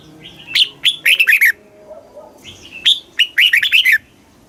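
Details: Red-whiskered bulbul, caged, Thailand, southern master-style song played to rouse birds and train chicks: two phrases of clear slurred whistles, the second longer with a rapid run of falling notes, over light background noise.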